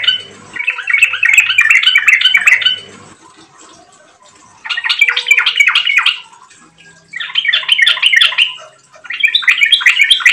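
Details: Vigorous Yellow-vented bulbul song meant to lure other birds into singing: four rich, gurgling phrases of rapid warbled notes, each lasting one to two seconds, with quiet gaps of a second or more between them.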